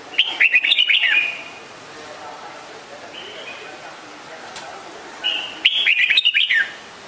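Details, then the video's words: Red-whiskered bulbul calling: a quick burst of bubbly, warbled whistles, a quiet gap, then a second chattering burst near the end, with a faint echo trailing each phrase. "นกปรอดหัวโขน - Red-whiskered Bulbul call"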